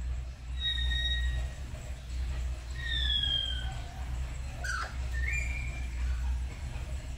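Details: Two pet black-capped lories at home, practising calls in the morning, trade clear whistles, some sliding downward and one rising, with a brief harsh squawk, over a steady low hum.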